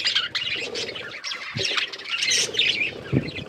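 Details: Pet budgies eating and playing with food: busy, scratchy chirps and warbling chatter in quick bursts, with soft low thumps and rustling of food.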